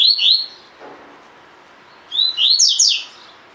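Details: Caged-bird training recording of a double-collared seedeater singing the 'tui tui fibra' song: a brief pair of sliding whistled notes, a pause, then a longer run of sharp, falling, bright notes.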